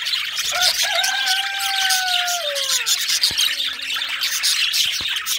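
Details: Singing male budgie: drawn-out whistled tones that slowly slide downward over two seconds, set against steady high scratchy chatter, with a couple of sharp clicks later.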